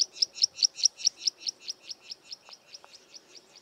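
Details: Karoo prinia calling near Kleinpoort in the southern Karoo: a rapid series of about eighteen sharp, high chipping notes, roughly five per second, steadily fading in loudness over nearly four seconds, with two faint low knocks midway.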